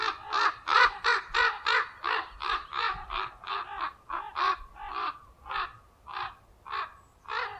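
Common raven giving harsh, hoarse croaking caws about three per second, easing slightly toward the end, in defence of its nest; no other sounds stand out.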